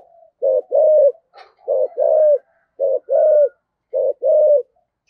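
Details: Spotted dove used as a decoy, 'giọng thổ' voice, calling with 'hai hậu' endings: four low, hollow two-part coo phrases, a short note then a long steady one, spaced roughly every 1.2 seconds in a quiet setting.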